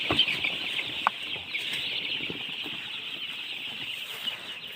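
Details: Baby chickens peep nonstop in a bright, piercing, densely layered chorus; a couple of louder sharp cheeps stand out near the start, over light scratching and tapping.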